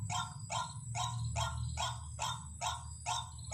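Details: Lure recording of a white-breasted waterhen: rough, broadband croaks spaced evenly at roughly two per second, with a steady low droning hum underneath.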